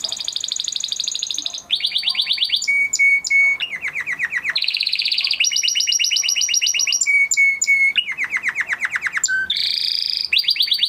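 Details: Crested Spanish Timbrado canary of 2020 breeding, kept in a flock, singing a long training song: varied rolling trills, clipped metallic bursts, a deep buzzy roll and repeated descending tours, high and continuous throughout.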